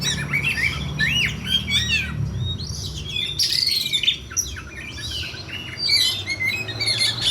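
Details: Fighting song of an oriental magpie-robin, played for mental training: varied looping whistles and sharp upward-sweeping notes in quick phrases, some scratchy chatter, with a low rumble and background noise throughout.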